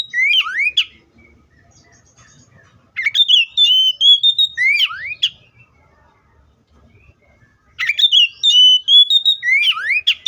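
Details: Three song phrases from an Oriental magpie-robin, each opening with rising swoops and chirps and running into sustained level whistles, with silent pauses of about two seconds between them.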